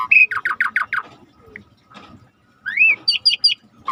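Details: Vigorously singing starling on a training recording: a rapid run of six descending buzzy notes, a pause, then a rising slurred whistle followed by three high chirps.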